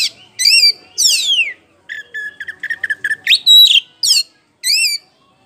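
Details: Lure song of an Oriental magpie-robin, poci type, in ngeplong style to prompt other birds to sing their repertoire: varied rising and falling whistles, a buzzy stuttering run of short notes, then a piercing whistle and sweeping slurred phrases.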